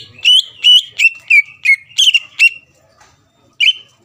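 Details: Greater green leafbird song used to provoke rival birds into replying: six to seven rapid slurred whistles at an even pace, a second of silence, then one final whistled note.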